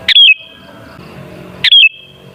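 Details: Sooty-headed bulbul song played as a lure to make other bulbuls sing; a short bright whistled phrase that rises, then drops in a quick flourish and trails into a thin held note, given twice about 1.5 seconds apart over a faint low hum.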